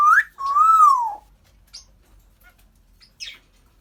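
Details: Pet African grey parrot whistling: a quick rising note, then a long smooth tone that swells and falls away, with a faint click afterward.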